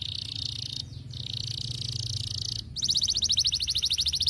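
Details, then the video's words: Canary singing to encourage lazy canaries: a sustained high buzzy trill broken by short gaps, then a fast rhythmic rattle of repeated notes, over a low background hum. "muito eficaz para estimular o som de canários preguiçosos"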